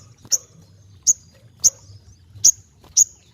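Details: Ruby-cheeked sunbird giving five sharp, very high, clipped chips, spaced roughly every half second to a second.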